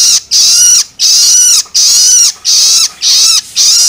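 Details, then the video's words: Long-tailed shrike chick begging call used to stimulate adult birds: five long, harsh, hoarse rasps with a falling inflection at the end, separated by short gaps. "Cara Jitu Untuk Merangsang Burung Cendet Dewasa Dengan Suara Loloan Anakan Cendet"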